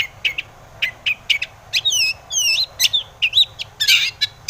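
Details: Long-tailed shrike song, used as a lure to provoke other shrikes into singing and agitation: short sharp chips give way to looping whistled notes and a harsh buzzy burst near the end, delivered in quick irregular bursts.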